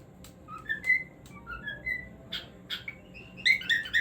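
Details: Cockatiel singing in short whistled phrases: clear rising and falling notes, some sliding upward, mixed with brief sharp chirps, ending in a louder burst of quick whistles over quiet room hum.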